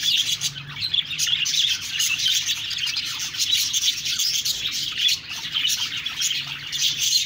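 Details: Budgies keep up nonstop shrill twittering, quick chirps and buzzy warbles layered densely from several birds, with a faint low hum beneath.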